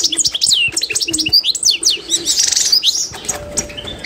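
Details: Song of a pure Constantine goldfinch played to teach other birds: a quick, varied twitter of sharp rising and falling chirps and short liquid notes, then a buzzy rattling burst midway, followed by softer chirps.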